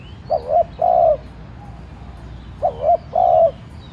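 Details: Spotted dove kept as a decoy, calling to prompt nearby doves: two phrases of short rising coos followed by a longer drawn-out coo, about two seconds apart.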